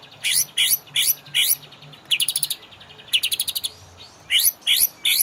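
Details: Master recording of a white-rumped shama for coaxing caged birds to sing: bright chirped notes repeated in groups, broken by two quick rattling trills.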